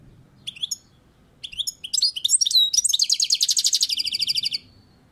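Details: A European goldfinch on a balcony sings a few scattered twittered notes, then a tumbling phrase that turns into a rapid, even, buzzy trill of about twenty repeated notes before it stops.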